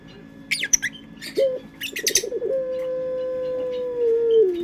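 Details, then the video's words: Collared dove of the puter pelung type singing as a lure: a short rising note, a burst of rapid pulsed cooing, then one long sustained low coo falling away at the end, amid small-bird twitters. "Pancingan Suara Burung Puter pelung"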